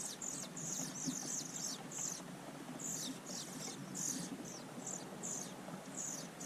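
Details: European pied flycatchers, with both parents feeding nestlings at the nest, give thin, very high short calls in quick bursts every half second or so, over a low steady hum and faint background noise.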